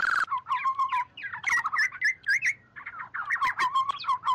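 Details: Oriole calling the flock in a recording meant to lure birds, free of background noise: opens with a brief harsh burst, then chattering, warbled fluty whistles in quick clusters.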